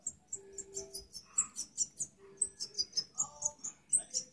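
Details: High, tinkling twitter from a breeding Parva goldfinch, clipped notes pouring out several per second with a few lower warbled tones mixed in, over a soft low background hum.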